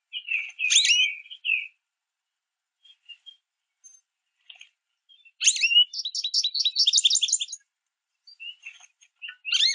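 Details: American goldfinches at a backyard feeder chirp and twitter while pulling sunflower seeds through mesh. Scattered high chirps give way to a fast, bright two-second twittering run, then further sharp chirps. No other sounds intrude.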